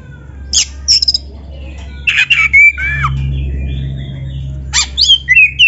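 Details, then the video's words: Black-throated magpie-robin master song with canary fill-ins, used as a lure: scattered bursts of sharp clicks and swooping whistles separated by pauses, over a constant low hum. "MASTERAN KACER GACOR FULL ISIAN MEWAH KENARI⁉️ || BURUNG KACER DADA HITAM COCOK buat PANCINGAN‼️"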